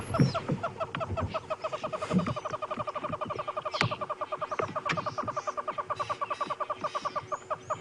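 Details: Francolins give a steady, rapid rattling alarm of harsh pulses, about seven a second, at a side-striped jackal, seen as a threat to their nests, on a cold sunrise drive in Djuma reserve, South Africa, 23 June 2015; other birds join in; a man speaks briefly.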